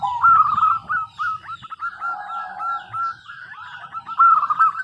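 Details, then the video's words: Zebra dove of local stock singing as a lure for other doves: quick series of short hooked coos, overlapping phrases rising and dipping, continuous and rhythmic. "Perkutut Lokal Gacor Suara Super Kristal - Pancingan"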